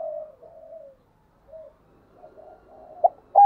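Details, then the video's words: Decoy spotted dove calling to incite wild doves; drawn-out soft coos with a pause, ending in two sharp louder notes. "Chim Cu Mồi Thúc Đấu, tiếng gáy hạp bổi, bổi nghe gáy"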